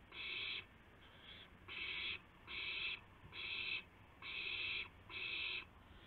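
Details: Owl bringing a gopher in the early hours of 2 April 2016, 2:51 AM. Seven loud, breathy screeching rasps follow one another at a regular, unhurried pace over a quiet background.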